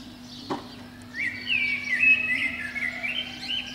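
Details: A protected Eurasian blackbird sings from a pine top outside a window at dawn in spring; after a faint click, one long rolling fluty phrase with wavering whistled notes and higher chatter, a constant low hum beneath.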